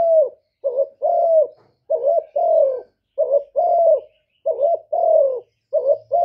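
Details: Steady cooing from a spotted dove. Paired notes, one brief and wavering and the next longer and gently falling, repeat about every second in a continuous sequence. No other sounds are present.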